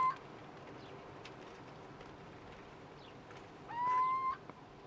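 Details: Little owl recorded among the Trebujena vineyards in Spain, 20/02/2018: the end of one note, then a single drawn-out, slightly rising mew held for about half a second, against a quiet, hissy night background.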